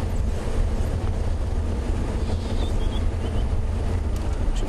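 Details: Steady low rumble of a vehicle engine with wind buffeting, and no clear animal calls.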